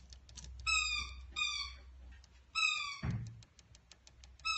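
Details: Noisy miner chicks learning to feed themselves, hand-raised: loud, drawn-out nasal begging calls in three bouts, with a dull thump midway and steady low hum.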